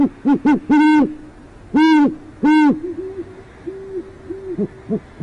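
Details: Great horned owl pair at an urban nest in northwest Oklahoma City, one parent heard but not seen. Deep, loud hoots come in a short series, then softer, lower hoots follow in an uneven sequence.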